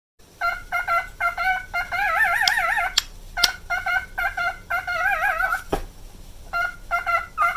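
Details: Nine-year-old male pet cockatiel singing its daily looped song: short stacked whistled notes in quick bursts, broken by longer wavering vibrato phrases near the middle and again later, with a couple of sharp clicks between.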